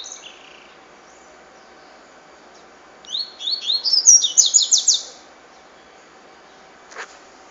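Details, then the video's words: Cachoeira-style song of a double-collared seedeater: after a brief opening note and a pause, a fast two-second burst of sharp, high rising and falling chirps, then one faint click. "Coleiro Cachoeira"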